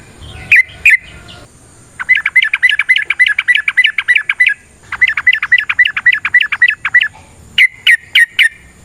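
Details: Long rapid-fire fighting song of a sooty-headed bulbul, used as a lure: a couple of sharp chirps, then two extended runs of quick, even chirped notes at about four per second, separated by a brief pause.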